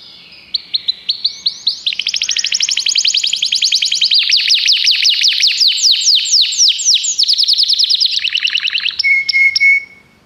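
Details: Common canary singing: a long run of rapid repeated high syllables, shifting through fast trills and sweeping notes, ending in a few pure steady whistles.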